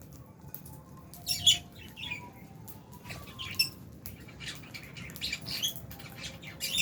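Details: Albino and Fisher's lovebirds kept in an aviary chirp in scattered sharp high notes, a few louder squeaks standing out, over a steady low hum.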